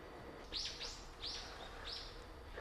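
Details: Flock of azure-winged magpies visiting a park bird sanctuary in winter, 10 January 2021, pond frozen over; four loud, harsh, rasping calls, each rising then falling, repeated in quick succession over under three seconds.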